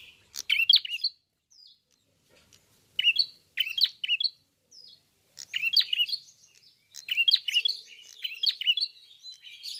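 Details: Red-fronted prinia in full, lively song, singing open-beaked: bursts of high, scratchy chirps and twitters, in phrases about half a second to two seconds long separated by short pauses. The phrases grow busier toward the end, with no other clear sounds.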